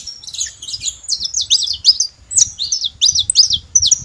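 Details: Free wild saffron finch: bright, high chirps and slurred notes in short clusters, about three per second, with quiet low rumble.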